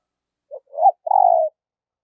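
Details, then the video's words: Spotted dove, a decoy bird trained daily to lure wild doves, giving one coo phrase: a short note, a rising coo, then a long slightly falling coo, with no other sounds. "Luyện Giọng Chim Cu Gáy Mồi Mỗi Ngày"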